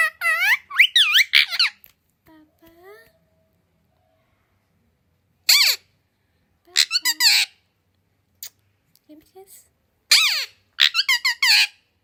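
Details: Pet parrot credited with speaking Hindi, English, Urdu, Kannada, Malayalam and Telugu produces scattered clusters of high, chattering speech-like syllables between long quiet stretches, with a brief lower voice early on.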